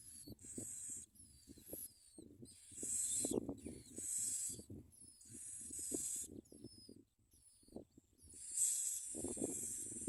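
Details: Bar-winged prinia chicks at the nest give harsh, hissing begging bursts in quick, uneven runs as adults bring baby locusts to feed them, with a few thin descending whistles and soft low thumps and rustling.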